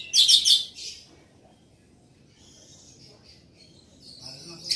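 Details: Orange-headed thrush in loud song, heard as one brief burst of harsh, rapid high chattering at the start, then mostly quiet thin wavering notes before another short phrase at the end.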